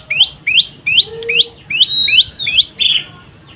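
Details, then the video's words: Young prinia (prenjak lumut) calling steadily: upward-sweeping chirps repeated roughly every third of a second, with one brief low tone partway through. "Suara anakan burung prenjak lumut"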